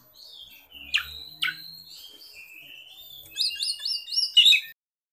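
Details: Oriental magpie-robin song used as a lure or master for young or silent birds: sharp clicks and a long flat whistle, then a quick run of repeated rising-falling whistled notes ending abruptly.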